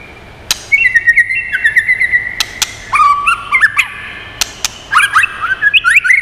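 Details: White-rumped shama singing in many voices for bird training and stimulation: a long sweeping whistled phrase, a lower twisting phrase, then a loud jumble of high notes, with sharp clicks in between.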